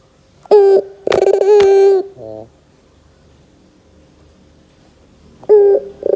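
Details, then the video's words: Barbary dove lure call meant to draw responses from young doves: a short coo and a longer sustained note with rough rolling bursts, a brief low tail, four seconds of quiet, then another coo begins. "PANCINGAN PUTER GACOR DOR TERMEWAH 2024, WAJIB COBA, PUTER BAHAN MUDA PASTI NYAUT"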